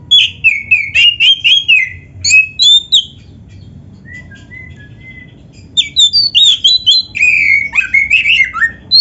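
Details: Oriental magpie-robin in full song for training: rich varied whistled phrases and rapid chips, a pause with soft level whistles, then a fresh burst of warbling, sliding notes.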